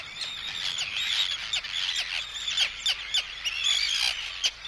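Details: Arctic terns calling in anxiety and threat at an intruder, with chicks also calling: a dense, near-continuous chorus of thin, high, overlapping cries, with sharper short notes breaking through every second or so.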